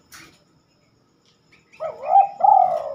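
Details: Spotted dove singing at night, a time it seldom sings: after near silence, one low cooing phrase of a quavering, rising coo followed by a longer, rolling coo that slides gently downward.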